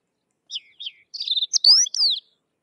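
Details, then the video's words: Sykes's lark (Galerida deva), a crested lark of dry open country in India, gives a quick, high song: two short chirps, then a burst of twittering notes and slurred whistles, one sweeping upward. "Sykes's Lark or Twany Larks Singing"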